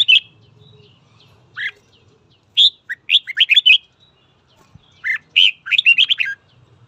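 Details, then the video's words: Red-whiskered bulbul in morning song meant to stir up fighting; short bursts of bright, fluttering warbled notes come in groups of four to six, separated by pauses, with a low hum in the background. "Luyện giọng chào mào hót sáng kích bổi đấu"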